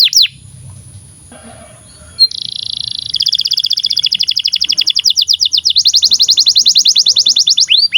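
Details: Canary song for training young canaries to sing: a quiet opening, then a long steady trill of rapid pulsed notes rising into a higher, denser trill, ending with a swept whistle.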